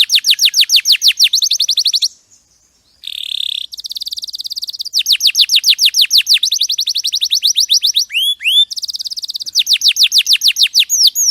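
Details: Champion canary song recorded clearly for training, fast rolling trills of downslurred notes broken by a short pause and a buzzy burst, followed by further rapid tours and a few looping whistled notes.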